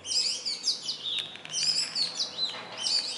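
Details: Indian robin singing, a small black and white bird that perches on branches or wires near human dwellings; sweet high chirping phrases repeated in quick succession with a few sharp clicks between.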